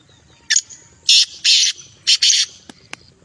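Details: Sindhi black francolin giving a harsh, grating call: one short rasping note, then two long buzzy notes, a brief pause, and a further short note with a long one, ending in two faint clicks. Quiet low rumble in the background.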